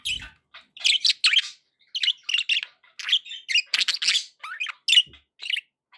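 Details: Pet budgerigars chattering steadily: rapid, scratchy warbles and bright chirps follow one another almost without a break, each note a short buzzy burst, with a soft low thump at the start.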